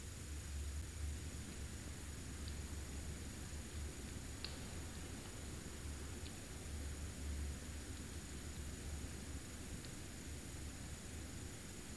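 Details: Only a steady low hum and a faint high electronic whine are heard, with a few soft clicks and no animal calls.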